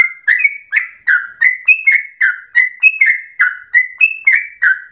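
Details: In full voice, a yellow-vented bulbul gives a long fast song likened to a straw-headed bulbul: rich gurgling whistles, several rising then falling, in a brisk run of about a dozen notes over five seconds.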